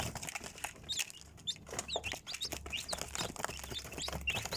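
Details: Young chickens peep with short, sharp rising and falling chirps at irregular intervals, mixed with clicks, scratching and a low background hum.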